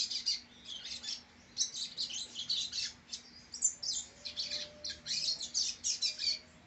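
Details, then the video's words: Rusty-collared seedeater, a brown-plumaged bird from a bred line of song birds, delivering a dense, rapid run of high chirps and twittering notes in bursts with short pauses, over faint background hum. "Coleiro Facebook NETO pardo muito ajeitado"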